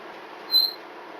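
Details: A twelve-year-old female pet red-bellied parrot gives one shrill, steady note, high-pitched and about a quarter-second long, like the species' smoke-alarm-beep scream, over a soft background hiss.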